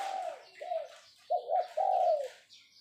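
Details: Captive spotted dove used as a decoy coos in the 'phao' style: a slurred falling note, a quieter one, then two loud rounded coos, over a faint wash of high bird chatter.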